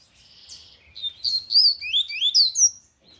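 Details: Lined seedeater singing loudly in the Tui Tui song style, a fast run of high, sharp whistled notes sweeping up and down, packed densely for about two seconds.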